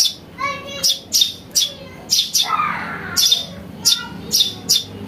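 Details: House sparrow chick, recorded for luring birds, gives insistent high cheeps in short bursts about every half second, with a brief descending whistled sweep midway and low hum behind.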